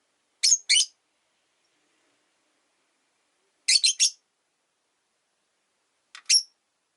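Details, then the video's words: Rosy-faced lovebirds, three housed together in a single window-side cage, one resident bird unwelcoming toward a new yellow-faced companion; sharp high chirps in pairs and a quick triple, separated by seconds of silence. "Lovebird Chirping Sounds"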